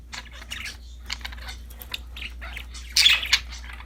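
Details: Several budgies playing with a new toy in a happy mood, soft chattering twitters and scratchy notes running together quietly, ending in a louder harsh burst.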